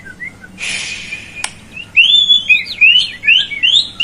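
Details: A white-rumped shama used to coax a lazy bird into song gives clear, high, fluty whistled phrases, each a short upward slur, after a brief hiss and a click.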